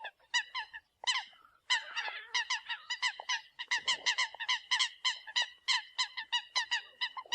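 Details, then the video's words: Eurasian coot calling as a decoy: loud, sharp, trumpet-like honks repeated fast and unevenly, nearly continuous after a short pause near the start. "TIEN CHIM SAM CAM CUC CHUAN TIENG CHIM MOI 2020"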